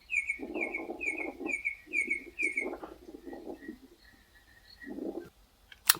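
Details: A Red-crested Korhaan in Kruger, South Africa, gives its display vocalization: a rapid series of sharp, ringing bill clicks, about two per second, then softer piping whistles over lower murmuring sounds.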